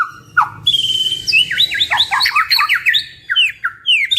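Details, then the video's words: Two actively singing white-rumped shamas with varied fill phrases: a quick low whistle, then a rapid series of sharp, slurred notes stepping up and down, ending in bright chips. "Duo GACOR !! Burung MURAI BATU Full isian MASTERAN PANCINGAN"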